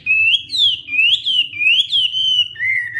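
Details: Hwamei practising its morning song, clear rising and falling whistles strung together in smooth, wavy phrases, finishing on a steady lower whistle.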